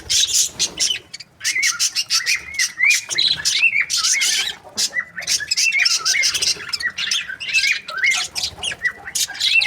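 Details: Budgerigar breeding pairs warbling nonstop, a steady stream of rapid scratchy chirps laced with wavering, twisting tonal notes that rise and fall, barely pausing throughout.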